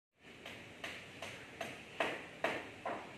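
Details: A zebra finch chick just out of the nest gives short, raspy begging notes, about two each second, in a steady series against a quiet indoor background.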